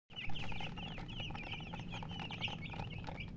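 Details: Baby chicken chicks in a group, many overlapping high, short chirps repeating rapidly and continuously over a steady low hum.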